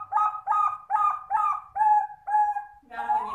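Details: Zebra dove giving its melodious cooing (anggungan): a run of about six short, tonal coo notes at a steady mid pitch, one every half second or so, closing with a rougher, noisier note.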